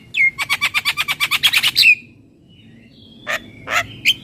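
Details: Asian pied starling song used for training: a rapid run of about a dozen evenly spaced harsh chattering notes ending in a whistled slur, then a pause and a few broad squawky notes.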